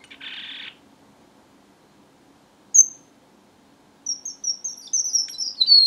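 A red avadavat sings high, thin whistled notes, first a single clear note, then a quick run of sweet twittering phrases. A brief rasping burst comes at the start.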